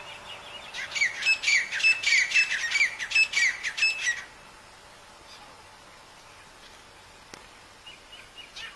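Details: In Nawabshah, Sindh, Pakistan, a black francolin gives a harsh, grating run of rapid clicking notes for about three seconds, then falls quiet; faint chirps follow near the end.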